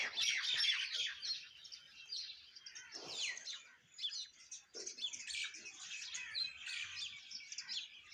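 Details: Indian mynas in the morning chatter with dense, overlapping chirps and harsh squeaky notes, several per second and high-pitched, with a bird chorus continuing throughout.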